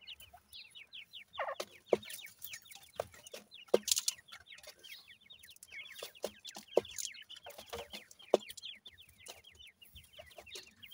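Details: Captive Grey francolin chicks, male and female, of gora teetar and dakhni teetar parentage, give an unbroken stream of high falling peeps from many birds, dotted with sharp tapping clicks.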